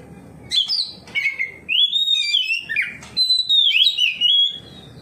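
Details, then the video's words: Full-voiced ngeplong song from an Oriental magpie-robin replying to another magpie-robin, showing its repertoire; continuous chain of whistled notes sliding up and down with intermittent sharp clicks. "KACER NGEPLONG KACER LAIN LANGSUNG RESPON NGEPLONG BONGKAR ISIAN"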